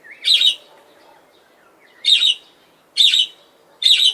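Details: A budgerigar sitting on a swing, singing happily, gives short bright chirps, each a quick burst, repeated every second or so.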